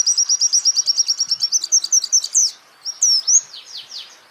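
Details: Champion white-eye used as a training recording for songbirds: a rapid, even trill of high, sharp chips about eight per second, then a pause and a few loud, sweeping whistled slurs, with a faint tremolo overtone.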